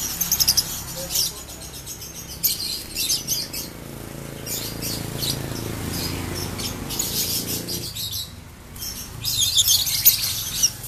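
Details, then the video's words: Caged, unpedigreed 'ombyokan' lovebird kept at home, in a bout of ngekek, the long trill. High, rapid, scratchy chattering comes in bursts at the start and around the third second, then a denser, louder run near the end, with a low rumbling background between. "Lovebird Ombyokan Ngekek Panjang"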